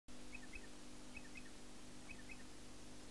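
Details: Striated pardalote at Eulo, south-west Queensland, in April 1995, gives a thin, paired high note about every second, three times, over a steady low hum.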